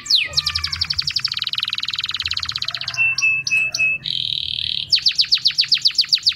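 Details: Canary singing for mating: fast rolling trills of rapid repeated notes, a run of short metallic chips, a steady buzzy held tone, then quick downslurred notes repeated several times a second, with a faint low hum behind.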